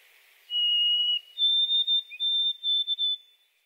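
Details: White-throated sparrow song recorded in Quebec: a clear, pure whistled note, then a step up to a higher whistle broken into several quick, even notes; a song sparrow sings in the background.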